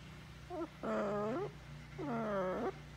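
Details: Farm-kept pet blue-and-gold macaw conversing with its owner: a short clipped note, then a long wavering voice-like sound, repeated twice like a drawn-out uh-huh, over a steady low hum.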